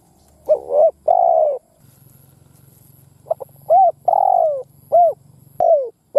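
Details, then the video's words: A ground lure spotted dove cooing to draw wild doves into a fight. It gives a doubled note and a long coo, then a low steady hum, then a full phrase of short clipped notes and long falling coos. "Tiếng Chim Cu Gáy mồi đất gáy kích bổi Mở là gáy"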